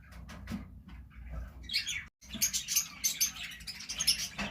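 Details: Rose-ringed parakeets of the purple lutino mutation, several birds: a series of sharp, high chirping calls repeated roughly every quarter second, preceded by softer scattered chirps over a low background rumble.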